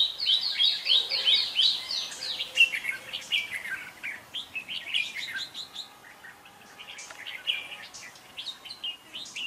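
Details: Red-whiskered bulbul song used as a decoy for trapping and for training birds to sing in competition: lively, bubbly whistled phrases with quick chirps, dense and overlapping, suggesting several birds singing at once.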